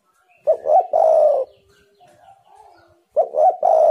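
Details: Spotted dove played as a lure to make wild doves call: two loud cooing phrases about three seconds apart, each a short double hoot running into a long, steady, low coo. Faint thin whistles fill the gap between them.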